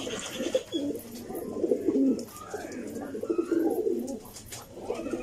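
Pigeons give low, throaty, rolling coos in overlapping bursts, with several birds cooing at once and faint higher chirps in the background.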